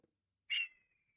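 A hawk gives a single harsh, hoarse scream that trails off into a thin, high whistle. Nothing else is heard.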